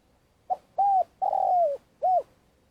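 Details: Spotted dove used as a decoy for trapping in Vietnam, giving a long calling phrase: a short soft coo, a level coo, a long drawn descending croo, then a final rounded coo, mellow and low. Background is quiet.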